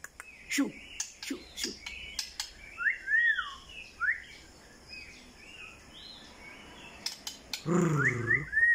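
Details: White-rumped shama singing short whistled phrases that rise and fall in slurred loops, spaced irregularly, with sharp clicks early on and a harsh, low buzzing sound near the end.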